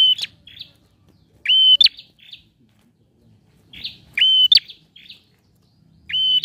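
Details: Male bar-winged prinia song meant to coax a silent bird: spaced phrases of a sharp whistle and explosive click with short buzzy notes after, separated by pauses of about two seconds.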